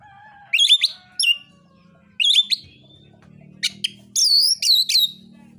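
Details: Oriental magpie-robin fighting song intended to provoke other birds; bursts of sharp chattering notes, a thin trailing whistle, then loud falling whistled phrases repeated in quick succession.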